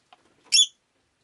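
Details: Rosy-faced lovebird indoors on a rainy day, one brief shrill chirp preceded by faint soft clicks.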